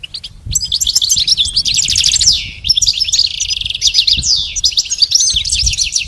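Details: Goldfinch singing in a recording for teaching a pet goldfinch to sing: a dense, rapid twitter of high tinkling notes and buzzy trills, with brief pauses between bursts and a few low thumps.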